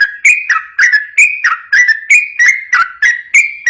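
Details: Sooty-headed bulbul song in the fast ropel style, played to lure untrained bulbuls into singing; clear whistled notes with sharp starts, repeated roughly every third of a second, each sliding slightly downward.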